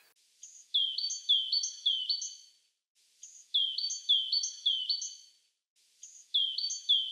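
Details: Great tit (Parus major), one of the birds of Russia ranked among the best songbirds, sings bright two-note phrases, a high note dropping to a lower one. Each burst repeats the pair about four times, with short pauses between bursts.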